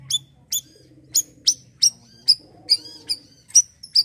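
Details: Bayeman, the Asian glossy starling, giving 'siri-siri' gacor calls meant for untrained birds: clipped high-pitched chips followed by thin, trailing downslurs, spaced about half a second apart. Faint low humming sits beneath.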